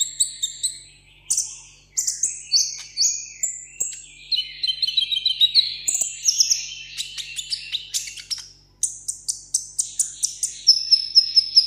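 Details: Caged sunbird, a 'hút mật 7 màu' kept as a tabletop bird, sings in solo contest style: rapid high-pitched chirps and thin descending whistled notes, often doubled, delivered in quick series with short gaps.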